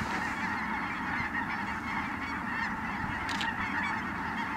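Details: A large flock of Ross's geese arriving at Merced National Wildlife Refuge, 22 December 2017, fills the air with a steady wall of overlapping high, squeaky honks, plus a brief sharp crackle late on.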